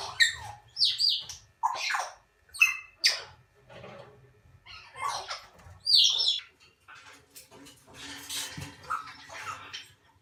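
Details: Young Salmon-crested cockatoo chicks, hand-reared and under a month old, give a run of harsh, wheezy squawks and chirps in quick bursts, some sharply rising and falling, indoors.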